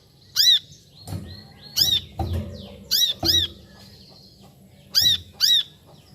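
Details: Brown-throated sunbird calling: six sharp, arched, high chirps, some given singly and some in quick pairs, with a few low knocks and thumps between them.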